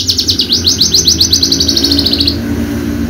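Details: Javanica-type Horsfield's bushlark kept for song contests delivers a rapid, even trill of high down-slurred notes, about seven per second, for two seconds before stopping, with steady low background hum.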